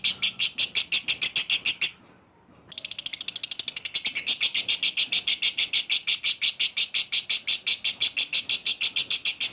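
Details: Lovebird giving a long clear ngekek chattering song, used to prompt other lovebirds to chatter long: rapid pulsed high notes, about three per second, with a brief pause near two seconds before the chatter resumes steadily.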